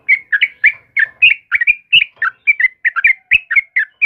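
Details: A sooty-headed bulbul's morning song: lively, clipped whistled notes, often doubled, tumbling in a fast regular series of around four per second with some lower warbled tones.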